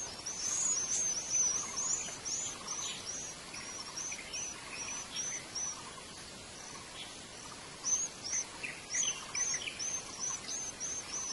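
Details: White-eyes in the wild at a nest, feeding their young: clusters of sharp, high twittering notes repeated rapidly in two bursts, over a constant insect-like buzz and faint lower chatter.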